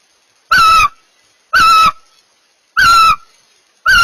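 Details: Mating barn owls utter a series of four rasping, hissy screeches, each roughly a third of a second, repeated about once every second and a quarter.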